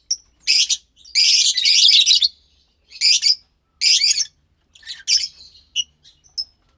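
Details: Two captive pastel lovebird chicks giving hoarse, rasping high calls in separate bursts, some drawn out, with brief squeaky notes between them and quiet pauses.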